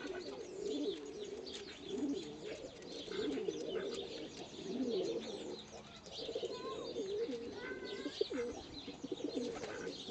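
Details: Rescue-centre pigeon pair, one pure white, in courtship feeding before mating: repeated deep, rolling coos pulse every second or two through ten seconds, with light chirps and clicks overhead.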